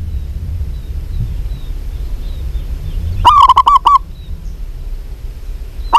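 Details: Local female zebra dove calling to a male: after quiet background hiss, one loud burst of five or six quick, rolling, hollow coos runs for under a second. A second burst begins right at the end.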